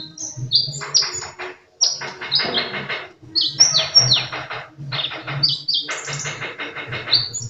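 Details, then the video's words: Sunbird singing vigorously: rapid runs of high, sharp downslurred chirps followed by buzzy, rattling notes, in phrases about a second long repeated back to back, with a low droning hum beneath. "Burung kolibri gacor"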